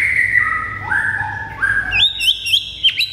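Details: White-rumped shama song meant to rouse caged birds: long gliding whistled notes sliding between pitches, then quick high chirps and a sharp downward flick, over a low steady hum.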